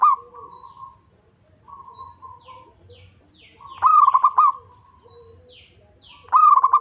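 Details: Deep-voiced local zebra dove used as a lure bird, giving two loud rolling coos with pulsing notes about two and a half seconds apart, while softer doves answer with quieter cooing phrases in the background.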